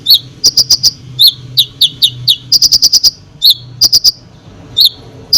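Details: Konin singing to provoke other birds: sharp, high chirped notes in quick clusters, sometimes rapid bursts of four or five, with short downslurred notes between groups and a faint low hum behind.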